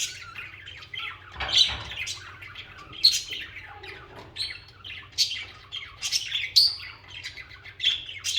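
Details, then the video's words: Budgerigars singing and chirping: continuous rasping chatter broken by sharp clicks and squeaky notes, louder squawky bursts every second or so, with a faint low hum throughout. "Most Beautiful Bugies Song | Bugies Singing and Chirping"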